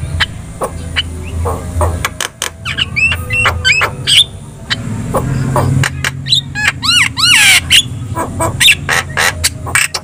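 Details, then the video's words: Javan myna song aimed at making other birds respond: scattered sharp clicks, then a run of short rising whistles and looping slurred notes, harsh chatter following, all over a steady low hum. "SUARA MASTERAN JALAK KEBO GACOR"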